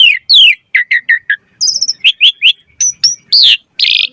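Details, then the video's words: Asian pied starling, 'gacor mompa' lure song: falling slurred whistles, a row of short even chirps, a thin high sustained note, then crisp repeated notes and a final rough burst. "Jalak Suren Gacor Mompa Variasi Suara Burung Kicau Cepat NYAUT Gacor Full Isian Mewah"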